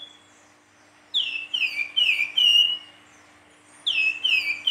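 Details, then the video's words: Silver-eared mesia singing in a lively, fluting style: a series of loud, clear whistled notes, each sliding downward, delivered in quick bursts of four to five with short pauses between, over faint background hum. "Burung Flamboyan gacor nyuling"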